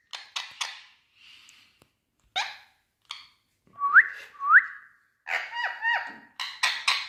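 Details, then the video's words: Green Indian ringneck parakeet talking: harsh raspy squawks, then two sharp rising whistles, then a run of harmonic, speech-like syllables and more scratchy bursts, in a quiet setting. "Ringneck Green Parrot🎀Speak Sound Mithuuu🌻"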